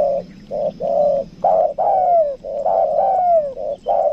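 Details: Spotted dove lure bird of 'kuk dua' type from Lombok, with a rapid run of overlapping short coos and long falling coos, nearly continuous, as if more than one dove calls together.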